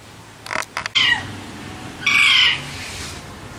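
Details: Alexandrine parrot voices: a few clicks and a short harsh squawk, then a longer, drawn-out raspy screech with a wavering tone.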